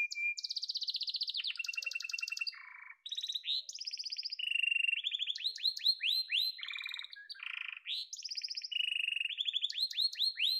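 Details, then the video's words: Yellow domestic canary in continuous song: long high trilled rolls, low buzzy bursts, then strings of sharply falling chirps repeated about four per second. Nothing else is heard. "Muhteşem Kanarya Sesi: Sarı Kanarya'nın Efsanevi Ötüşü"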